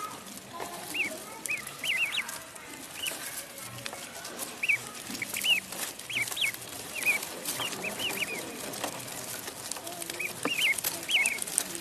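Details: Duckling in a pond, its shrill arched peeps coming in scattered clusters over a steady hiss of background noise, some notes doubled, with quieter gaps between bursts.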